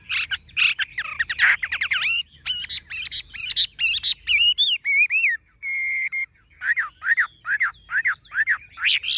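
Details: Golden-plumaged tame Chinese hwamei in a cage pours out a rich varied song: rough scratchy chatter at first, then sharp clicks, a held pure whistle and a row of dipping whistled notes.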